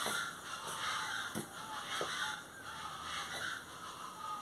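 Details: Plain chachalaca calling: harsh, grating, raspy notes layered into a chattering chorus, with louder bursts roughly every half second against a steady noisy background.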